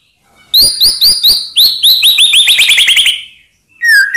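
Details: White-rumped shama singing to provoke rivals: a series of crisp upward-flicked notes that quicken into a rapid rattle, followed by a brief whistle.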